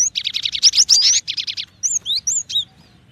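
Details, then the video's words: Cinereous tit with a fast, dense string of high chirps for over a second, then several separate clear whistles that slide upward and downward. "SUARA BURUNG GELATIK BATU"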